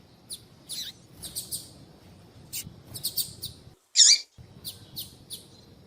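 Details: Female double-collared seedeater calling to males: sharp high chirps scattered over the clip, most of them short and faint, with one louder, longer chirp near the middle, over a soft low background hum.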